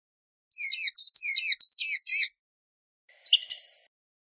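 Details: Blue-gray gnatcatcher delivering a run of seven high, squeaky, slurred notes in quick succession, followed after a short silence by a brief hurried twitter.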